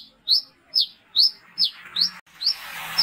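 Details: Brown-throated sunbird (wiceh) calling at night in the lively ngalas ngeplong style, used as a lure for other sunbirds: six sharp, high, quickly slurred chirps, about two each second, ending in a burst of hiss.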